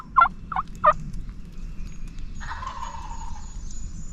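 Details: Off-the-roost gobbling of a wild turkey tom at daybreak on Virginia public land, spring hunting season: three quick, loud rattling gobble notes in under a second, followed by quieter distant bird chatter and low background rumble.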